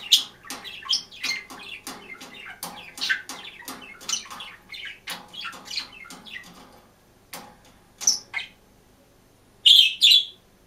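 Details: Green budgerigar singing and chirping while alone in its cage: a dense, continuous chattering warble of clicks, squeaks and chirps for seven seconds, followed by a few louder, sharper high calls.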